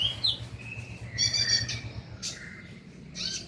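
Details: Van Hasselt's sunbird, played as a lure recording to prompt a caged bird to sing at night; high thin whistles and a buzzy, ringing trill near the middle, then sharp chips, over a low steady hum.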